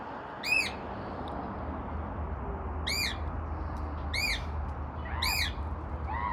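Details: A cockatiel on a house porch on Michigan, heard on a walk on March 26, 2026, gives shrill, arching whistled calls, repeated every second or two over a low outdoor rumble.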